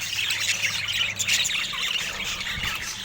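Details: Rare budgerigars filmed in natural Scandinavian light, without speech or music: dense overlapping warbles, chirps and squawky notes from several birds, with a steady low hum beneath.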